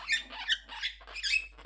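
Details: Pet Monk parakeet, described as angry after its nest box was removed, gives four harsh, raspy, high squawks in quick succession within under two seconds.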